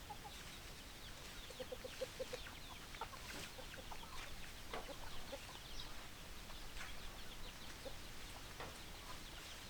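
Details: Hens clucking among a flock of chickens, a short run of soft, evenly spaced low clucks in the middle against a busy, scratchy background of scattered flock noise.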